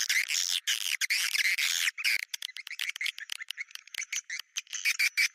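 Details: Bintang utara swiftlet lure: harsh squawking twitters for two seconds, then a run of short, sharp clicks and chirps about three per second.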